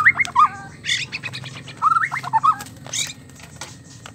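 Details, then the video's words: White-rumped shama, sound used as therapy to get a male singing and mating; short whistled twisting phrases separated by scratchy bursts, over low background hum. "MURAI BATU KAWIN BIKIN jantan ngamuk gacor seketika dgn suara murai batu kawin"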